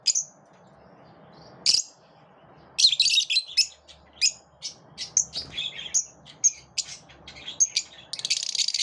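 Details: Morning chatter of lovebirds: after a sparse start, a long run of high, shrill chirps and harsh squeaks follows in quick irregular bursts, ending in a scratchy, noisy squawk; the room is otherwise quiet.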